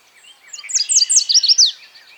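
A Yellow Warbler sings a quick, high, bright phrase of about seven sweet downslurred notes that speed up slightly, over faint background hiss.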